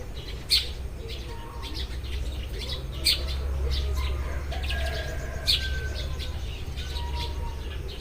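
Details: Eurasian tree sparrows calling at daybreak, giving scattered bright, abrupt chirps with a few louder ones standing out, set against a constant low rumble and faint thin whistled notes.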